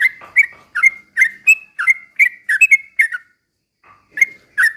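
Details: Trucukan, Yellow-vented bulbul, singing a slow ropel style meant to provoke other bulbuls into song; chains of quick liquid whistled notes about twice per second, with a brief break near the end before resuming.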